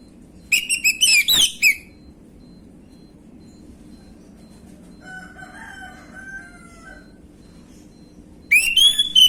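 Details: Orange-headed thrush, 'gamblingan' lure song for young birds: a rapid cluster of sharp, ringing whistles, a quieter lower drawn-out tonal sound in the pause, then another bright whistled burst at the end.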